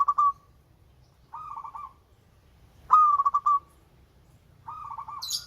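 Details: Local zebra dove with a melodious voice repeats rolling cooing phrases of quick beating notes, alternating softer and louder, about every one and a half seconds, with a short high chirp at the end.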